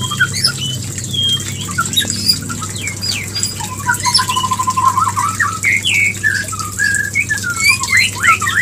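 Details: White-rumped shama mating call, aimed at bringing a female into breeding condition: varied fast phrases of sharp whistles, a quick rattle of repeated notes midway, and rising slurred calls, with a background hum.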